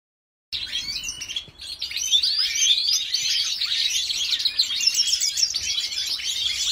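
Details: Female European goldfinch of the white-headed mutation from a Jordanian breeder, singing a fast, continuous twittering warble of bright, high chirps and trills. The song runs without pause after a short silent start.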